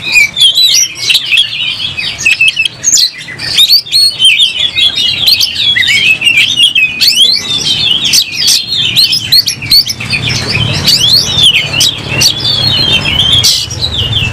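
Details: Agitated oriental magpie-robin ready to fight and fanning its tail, pouring out a long, continuous, varied song of shrill whistles and rapid chattering notes, broken by sharp clicks and a faint low rumble.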